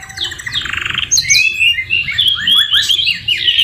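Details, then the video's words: Canary song full of white-rumped shama (murai batu) phrases: a short rapid trill, then high piercing whistles and a jumble of slurred chirps delivered at speed. "MASTERAN KENARI MEWAH SAMA SAMA FUL ISIAN MURAI BATU | CANARY SINGING"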